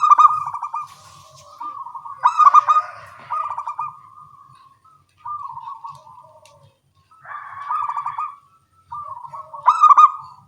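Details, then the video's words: Local zebra doves answering one another in the morning: several separate trilled coo phrases, each starting with staccato pulses then trailing into a smooth purr, with short silences between phrases. "Perkutut lokal suara kecil gacor pagi hari bersahutan"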